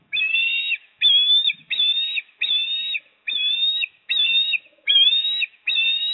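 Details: Osprey calling at its Port Lincoln nest, 26 September 2024, as the male brings fish and the female eats. Eight evenly spaced, level whistles, each with a slight upturn at the end, run steadily in quick succession.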